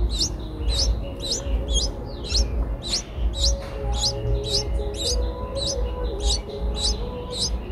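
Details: Eight-day-old Streak-eared Bulbul nestlings, eyes open since day seven, Ubon Ratchathani, Thailand, 10 April 2023, give thin, high, quickly sweeping chirps, about two a second, over a steady low rumble with faint humming tones.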